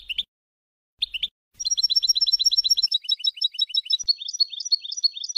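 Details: European goldfinch tutoring song for young birds: two short chirpy bursts separated by silence, then a sustained, rapid stream of bright, liquid twittering notes at roughly three per second.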